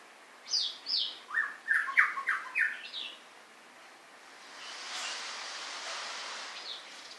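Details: White-rumped shama giving a rapid string of loud, varied notes that step downward, then falls silent while a broad rushing noise fills the rest.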